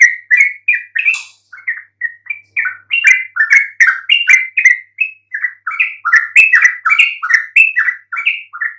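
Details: Lure song of a yellow-vented bulbul, meant to provoke mute birds into replying: a lively, continuous babble of short warbled notes, up and down in pitch, with one sharp click midway.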